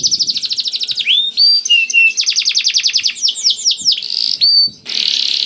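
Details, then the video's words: Canary in lively song, a recording used to coax reluctant canaries into singing: fast trills of repeated high notes, then sliding whistles and buzzy phrases, ending in a dense hissing burst. "KENARI GACOR DOR INI MEMANCING KENARI YANG SUSAH BUNYI JADI IKUT GACOR"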